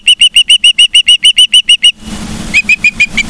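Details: Osprey in Charlo, Montana, recorded by a live nest camera on 15 September 2023 near 12:55, giving a fast, regular series of about twelve loud, piercing whistled chirps. Rumbling noise follows, then five softer, slightly lower chirps.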